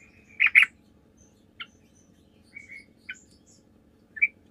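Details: Sooty-headed bulbul singing actively, recorded as a lure to make other bulbuls answer; a few short, bright chirping notes spaced over several seconds, with a pair of loud notes near the start and faint low hum underneath.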